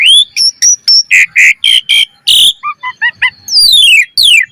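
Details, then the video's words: Varied song of an Asian pied starling serving as a lure: sharp whistled notes, thick harsh buzzes, short downslurred chips, then long falling whistles, all in quick succession. "Pancingan Jalak Suren Gacor Mompa Full Variasi - Masteran Suara Burung Jalak Cepat Gacor Full Isian"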